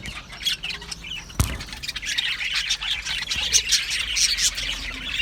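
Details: Australian budgies in an aviary colony, a dense mass of high chattering chirps and squeaky twitters from many birds at once, with a single sharp knock partway through.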